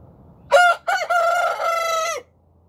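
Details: Rooster crowing in the morning: one loud cock-a-doodle-doo of about two seconds, a short opening note, a brief break, then a long steady harmonic-rich held note that cuts off sharply, over a quiet background.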